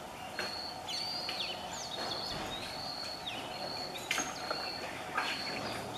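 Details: Oriental magpie-robin recorded from a house in Satara, Maharashtra, India, singing clear, high, sweet whistles, some held level and others sliding up or down, in a varied series over a steady background hiss.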